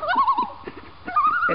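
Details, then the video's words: Common loon on a Maine lake, one of two passing birds, gives a short wavering, yodel-like tremolo, the quavering notes holding steady in pitch. "Singing Loons in Maine"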